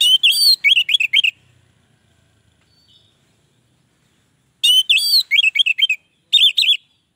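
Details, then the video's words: Orange-headed thrush singing, a song said to lure other orange-headed thrushes: quick clusters of bright, slurred whistles and chirps, one burst at the start, a long silence, then two more rapid phrases near the end. "Anis merah lain pasti akan terpancing bunyi"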